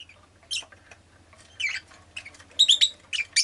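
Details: High, scratchy chirps from a rosy-faced lovebird, isolated at first, then crowding into a quick run of squeaky notes near the end, over a low droning hum and faint clatter.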